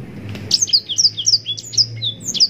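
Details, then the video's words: Yellow-rumped serin (blackthroat) singing a long, non-stop, richly phrased song for training other songbirds: quick high twittering notes, each a sharp downward slur, in a steady run under a faint low hum. "Blackthroat gacor nembak panjang cengkok mewah full durasi panjang‼️blackthroat bird sound mastering"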